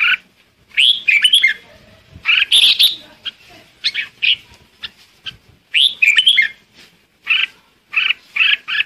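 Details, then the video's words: Red-whiskered bulbul calling the flock: short, bright, warbled phrases of two to four quick notes, repeated in bursts about every second with brief silent gaps, and no other clear sounds. "Chim chào mào gọi đàn"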